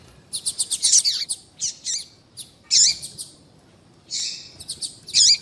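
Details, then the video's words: Female papa-capim (seedeater) call, used to make a male start singing: bursts of sharp, high chirps and short buzzy notes in quick clusters, with brief pauses between groups. "Piado de fêmea de papa capim vai deixar seu papa capim cantando Muito RÁPIDO"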